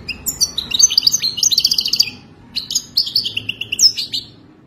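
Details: Goldfinch song meant to teach a caged goldfinch and linked to mating: rapid tinkling twitters and buzzy trilled notes in two close phrases, ending with a sharp rising chirp.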